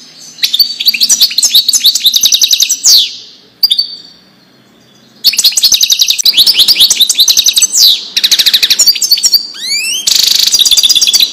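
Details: European goldfinch in the Wedani song style, recorded for teaching young goldfinches. Long bursts of rapid twittering trills and slurred whistles are split by a quiet gap. Near the end come downward-swooping notes and a harsh, buzzy stretch.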